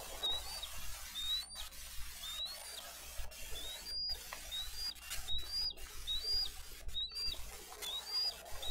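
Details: Nest-cam recording of bald eagles in Dade County on 22 April 2023 as the parents bring fish and feed the eaglets: a string of about a dozen short, high, upslurred chirps under loud steady hissing noise.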